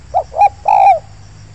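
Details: Close spotted dove in an oil palm plantation during a luring session, giving one phrase of two quick notes and a longer, smooth, slightly falling coo.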